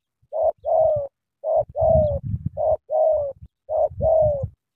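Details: A Cà Mau spotted dove delivers energetic cooing: short hoot followed by a drawn-out, slightly descending coo, the pair repeated three times, accompanied by dull low rumbling thumps in the gaps.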